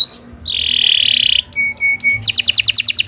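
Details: Canary singing a long phrase meant for training young birds: a short high note, a sustained buzzy tone, three clear whistled pips, then a rapid bubbling trill.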